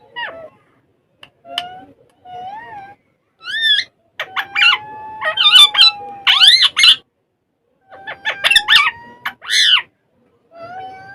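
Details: Pet ringneck parrots talking and playing on a table, Urdu or Hindi speech. A mix of thin whistled notes, short chirps and loud, shrill, harmonic squawks, with one long steady whistle held for several seconds. The calls come in irregular bursts.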